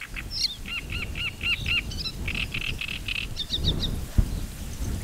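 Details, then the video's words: Loud song of a great reed warbler: a row of five repeated arched, croaking notes, then a series of harsher grating syllables and a few short high chips. Steady low background rumble throughout. "Trzciniak koncert"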